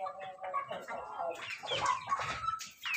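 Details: Laughing chicken (ayam ketawa) rooster crowing loudly: a continuous run of stuttering, harmonic notes, rising and falling in quick succession, growing brighter and harsher toward the end.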